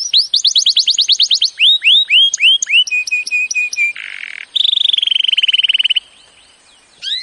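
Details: Canary training song: quick repeated looping whistles, falling swoops, short steady notes, a harsh buzz, and a rapid ringing trill, followed by near silence and one final whistle.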